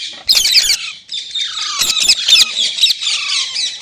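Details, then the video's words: Green parrot screeching almost without a break: loud harsh rasping calls mixed with a few thin falling whistles. "Green Parrot Talking Natural Sounds | Mitthu Ki Awaaz | Tote Ki Awaaz"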